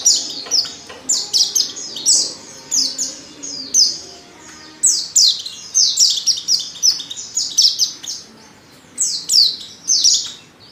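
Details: Female Oriental white-eye calls used to lure males into singing: high, thin descending chirps around 4-8k repeated in quick clusters, with short pauses between bursts and faint low background hum.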